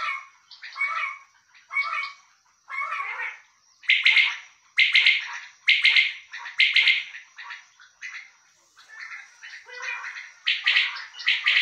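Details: A male common quail, called bulara locally and kept by its owner, calls steadily. Softer lower double notes at the start build into loud crisp triple-pulsed calls, repeated roughly once a second, with quieter notes near the end.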